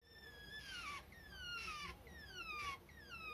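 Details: A pet Java sparrow gives clear, high whistled "kyuu kyuu" notes sliding downward, about one each second, over a faint indoor hum; the owner suspects this is a lonely or attention-seeking call.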